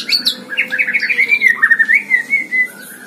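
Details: White-rumped shama kept in a hanging cage, singing gacor: a fast, rich warble of bright whistled notes, rapid pulses that run into a long level whistle and then a lower, falling whistled tail.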